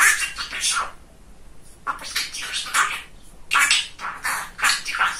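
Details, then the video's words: Pet male budgerigar, described as very chatty and funny, talking indoors: clusters of raspy imitated syllables, a one-second pause, then further rapid bursts of scratchy chatter. "Говорящий Попугайчик Кеша"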